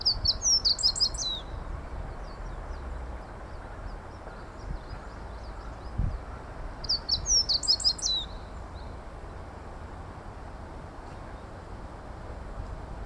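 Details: Meadow bunting singing beside a familiar walking path: two bright, high, rapid phrases of tinkling, twittering notes about six seconds apart, over a steady low rumble of background noise.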